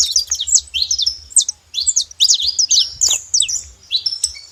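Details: Wild flock of saffron finches in natural open country, many high chirps and short sharp notes overlapping, with brief pauses between bursts and a faint low hum underneath.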